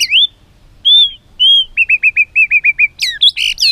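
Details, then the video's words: ['White-rumped shama singing filler material to prompt other shamas: clear upslurred whistles, then eight quick identical hooked notes in a row, ending in a tumbling burst of high chatter.'] "isan muray bagus,cocok buat pancingan gacoran muray batu isiann mewahh"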